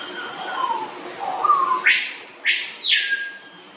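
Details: Swallow tanagers, male and female, seen processing food into a throat-pouch and courting. Soft falling whistles come first, then two loud sweeping notes that each rise sharply, hold high and slide back down.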